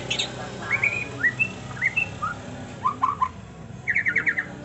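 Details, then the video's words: Slightly softer trontolan song from a white-rumped shama: spaced, clear whistled notes at varying pitches, a few quick doubled notes, then a short fast trill of repeated chips, against a steady background hiss. "Masteran Murai Batu TRONTOLAN NGEROLLLLLLL Edan!! GACOR X Roll"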